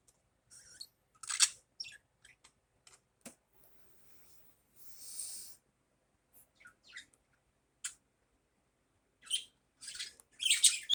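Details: Morning budgerigar calls: sparse high chirps, ticks and brief scratchy notes, with a longer raspy burst midway and a cluster of louder chirps at the close.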